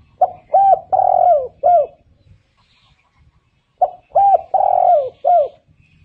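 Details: Spotted dove calling: a phrase of four low, mellow coos, the third longest and drawn out, given twice about three seconds apart, with faint chirps from other birds in the background.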